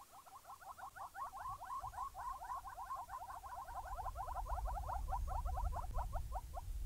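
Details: Wild Southern Yellow-billed Hornbills at sunrise, Djuma Game Reserve, 17 June 2017, two pairs calling to each other in a possible showdown, one pair answering the other; rapid, clucking series of notes quickening over several seconds, over low rumbling background.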